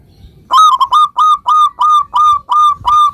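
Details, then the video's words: Local zebra dove song meant to make other zebra doves respond immediately: a steady, loud series of about nine ringing, slightly rising coo notes, roughly three per second, each clear and evenly spaced after a brief quiet start. "suara perkutut lokal gacor ini ampuh menjadikan agar burung perkutut gacor nyaut seketika"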